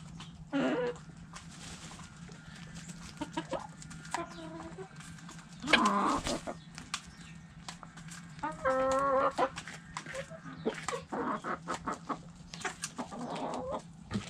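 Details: Hens in a backyard chicken coop give scattered clucks and a drawn-out, tonal squawk near the middle, with low thuds, rustling and a constant low hum throughout.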